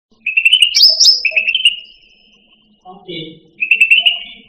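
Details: Caged cucak rante song used to train other songbirds: fast whistled trills with a sharp high note between them, a pause with a low grating sound, then another trill.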